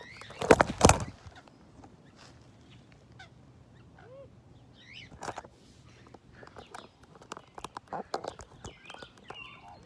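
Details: Rainbow lorikeet at Fort Wayne Children's Zoo, close to the camera, gives a loud harsh screech at the start, then scattered short squeaky chirps and clicks, with other faint bird notes in the background.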